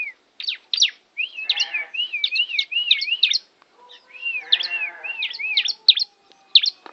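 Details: Lively song from a tame bar-winged prinia in Kawali, Ciamis, a nearly continuous run of looping, wavering whistled notes mixed with sharp high chirps, a brief break near the middle.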